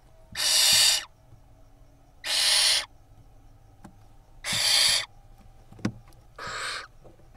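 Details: Barn owl nestlings in an Israeli nest box camera, 10 May 2021, tugging at a vole together; four harsh hissing screeches, each under a second, spaced roughly every two seconds, with faint clicks between.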